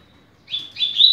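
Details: Fragment of a double-collared seedeater teaching song in 'rápido de bico' style: quick, high twittering notes stepping slightly upward over under a second.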